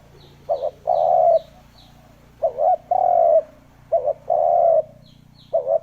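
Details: Wild-dove lure recording of a spotted dove: a brief two-part coo, then a sustained throaty croo, repeated four times. Steady low hum runs underneath, and faint high chirps from another bird sound near the start.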